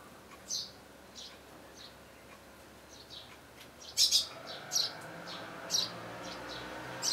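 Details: Eurasian tree sparrow young being fed by parents at their nest on 12 May 2012, hours before fledging; soft scattered high chirps at first, then four louder sharp chirps close together near the end, with a low steady hum behind.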